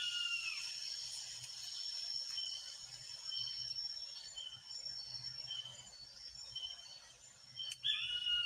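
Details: Blue-headed pitta, a shy and elusive bird, recorded in Borneo's Danum Valley rainforest, gives short, clear whistled notes repeated every second or so over a steady high hiss of rainforest insects.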